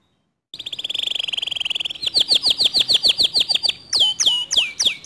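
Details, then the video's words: Canary song, said to get other canaries singing. After a moment of silence a buzzy, rattling trill runs steadily, then changes to a rhythmic series of sharp swept chirps and a few slower falling whistles. "Suara Kicauan Kenari ini Sering Kali Memancing Emosi Kenari Lain Agar ikut GACOR DOR"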